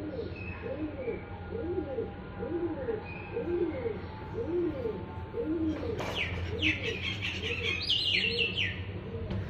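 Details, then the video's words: Birds calling: soft low cooing notes repeated about once a second throughout, joined after six seconds by higher, rapid chirping phrases. "cute birds sound"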